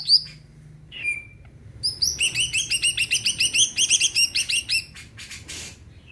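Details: Greater green leafbird singing hard to trigger song in other birds. A downslurred whistle and a falling slur lead into a long, fast, steady series of ringing, bell-like chirps, then a few buzzy notes.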